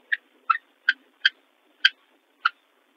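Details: Northern cardinals at a nest, female incubating eggs and the red male visiting with food: six sharp, clipped metallic chips spaced about half a second apart, nothing else audible.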